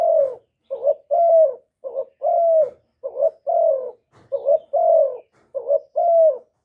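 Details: Spotted dove call, used to excite kept males and decoys, recorded directly with no background noise: low mellow coos in pairs, a brief note then a drawn-out descending one, steadily repeated about five times.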